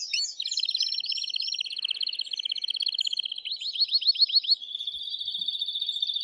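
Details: Agitated male canary pouring out strong song to encourage the female to mate. A long, fast buzzy trill shifts into a short run of rising swept notes, then settles into another even, rapid trill.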